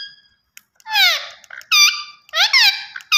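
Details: Pet green Indian ringneck parakeet, known as a talking bird, producing loud raspy squawks in quick succession, each about half a second, some falling and some flat and nasal.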